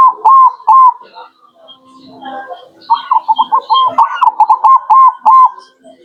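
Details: Zebra dove, local type, used as a lure: two short coos open, followed by a brief murmur, then a long, rapid sequence of clipped cooing notes that slows toward the end, with faint voices underneath.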